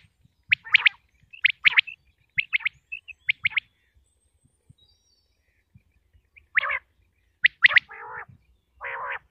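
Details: Pakistani batair, the common quail of Punjab: quick bright doubled and tripled notes in a rhythmic run, a pause, then more notes mixed with a harsher rasping purr near the end.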